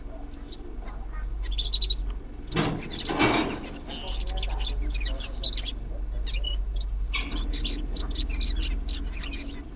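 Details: Zebra finch living in an aviary gives short, nasal, high chirps in quick, uneven runs over a low steady hum.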